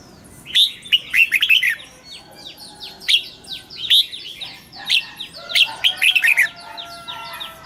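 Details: Red-whiskered bulbul kept caged, morning song for training in a wild double-note style: several overlapping whistled phrases rising and falling, with a busy chorus of short downslurred chirps throughout.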